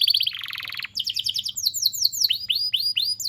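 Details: Canary song used to train young canaries: quick sweeps, a low buzzy roll, then bright chattering notes and slower upswept whistles repeated about three times a second.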